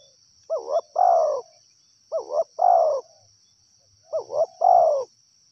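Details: Wild spotted dove calling three times, each phrase a quick wavering double note followed by a long, loud, hoarse falling coo. The phrases are spaced about two seconds apart against a quiet background.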